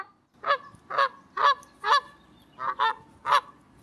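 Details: Seven loud, evenly spaced nasal honks from a wild Canada goose in flight high overhead in Canada, about two per second, over a faint low background rumble.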